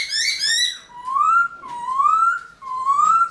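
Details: Early-morning song from a caged Black-throated laughingthrush in the 'forest voice' style, used to excite wild-caught birds. A bright rich phrase is followed by three clear rising whistles, each about one second long.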